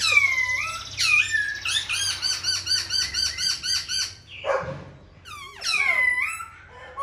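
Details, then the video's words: Caged, tame silver-eared laughingthrush singing while dancing its wings and fanning its tail. Loud clear whistled phrases with slurred falling notes, then a fast run of about ten repeated ringing notes, a brief noisy burst, and more slurred whistles over a faint low hum. "Khướu bạc má vip múa cánh đuôi xòe, chim thuần sách lồng hót, hót cả ngày"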